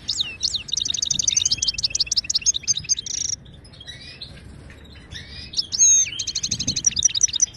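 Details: Moroccan European goldfinch singing in the Widani style, a recording used to teach caged birds to sing: high rapid trills and buzzy repeated notes, a pause near the middle, then sweeping whistles and further fast trilled phrases.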